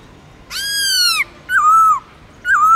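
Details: Captive black-throated laughingthrush giving long slurred forest-voice song: a sustained, rich whistle slowly bending downward, followed by two shorter notes that dip and then level into a clear, steady whistle.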